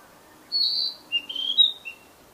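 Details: Narcissus flycatcher singing in the wild, a rich slurred whistle then a rapid run of bright, slightly buzzy high notes dropping to a final short whistle.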